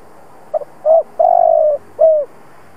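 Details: Spotted dove, an old decoy bird, cooing in the provoking style meant to make other doves coo: a quick double note, a short coo, a long purring coo that slowly falls, then a final falling coo. Background quiet.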